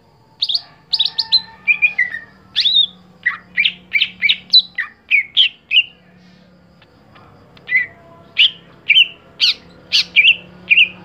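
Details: Song of a caged greater green leafbird kept for singing competitions, with varied whistled and chirped notes in a steady rapid sequence, a short gap, then further spaced whistles.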